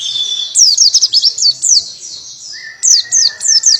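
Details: Buxton's white-eye singing in the canary-style tembakan manner: a high thin trill, then quick bursts of sharp descending whistled notes in runs of four or five, with a steady lower whistle underneath.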